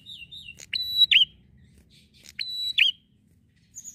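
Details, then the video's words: Bar-winged prinia singing busily with long drawn-out phrases, played as a lure for prinias. Two loud phrases, each a sharp click, then a level high whistle and an abrupt dipping note, about 1.7 seconds apart, with faint twittering before. "prenjak gacor ngalun mantap pancing burung prenjak"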